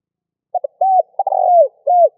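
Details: A single cooing phrase from a spotted dove, played to lure wild birds: short pips, a level coo, a trilled descending coo and a brief arched ending note, clean and free of other sounds.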